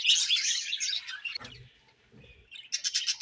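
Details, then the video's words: Budgies chattering in a busy, high twittering stream that breaks off after a second, followed by a short quiet gap with soft low thuds, then a new run of quick chirps. "Budgies Chirping Sounds"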